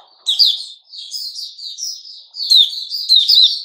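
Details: Caged sooty-headed bulbul, recorded 10 July 2021, giving short bright chirpy phrases of quick up-and-down notes, with a brief gap before a denser run of twittering. No other sounds.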